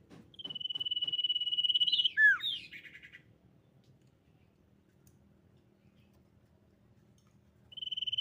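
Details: Common iora song used to lure other ioras into singing. A pulsed whistled trill gives way to two down-slurred whistles and a brief chatter. A long quiet stretch follows before the trill resumes at the end.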